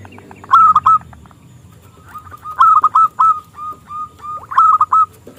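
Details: Local zebra dove, a keen singer with a small, crystal-clear voice used as a lure for rival doves: bursts of bright trilled coos alternating with softer, evenly spaced notes.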